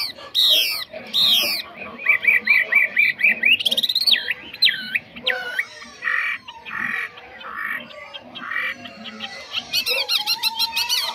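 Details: Caged Chinese hwamei praised as a fine, faultless singer, giving a varied song: harsh opening notes, then a run of looping whistled phrases rising and falling, followed by buzzy bursts and rapid trills.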